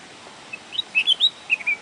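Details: Bulbul singing: a short run of clear whistled notes, a few sharp rising and falling chirps bunched within under a second, over a quiet hiss.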